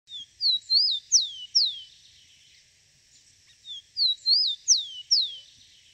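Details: Rufous-collared sparrow singing in the wild: two identical phrases about three and a half seconds apart, each a short thin note, two wavering whistles, then two sweet, sharply falling slurred whistles, over quiet background.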